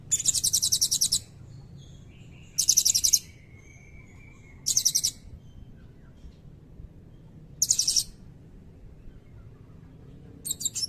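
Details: Blue-crowned hanging parrot pouring out repeated bursts of shrill, rapid high trills, five outbursts about two seconds apart, in the long cililin-filled nembak style used to tutor magpie robins and kacer; faint lower whistled tones and hum between.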